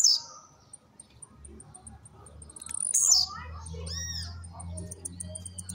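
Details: Home-kept blue-black grassquit leaving moult gives two short, buzzy, high jumping songs, at the start and near three seconds, separated by evenly spaced high ticks; arched whistled calls and a low hum follow.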